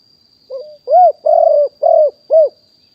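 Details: Spotted dove decoy of wild stock, captured live in 2021 to call in wild doves: a single phrase beginning with a low wavering note, then four resonant coos, the middle pair drawn out and rough-textured, the last short. A faint steady whine is audible.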